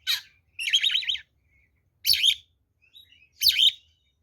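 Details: Oriental magpie-robin, kacer, singing its fighting song used to lure and provoke rival birds: a harsh rasp, a buzzy wavering trill, then two more loud scratchy bursts with quiet gaps between.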